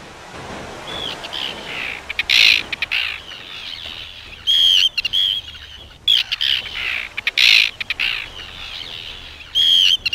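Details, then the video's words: Arctic terns fight as an intruder gets too close to another's nest, giving harsh, high grating calls in bursts, with sharper rasping notes every couple of seconds over a steady chatter of other terns. "Arctic Terns Squabble"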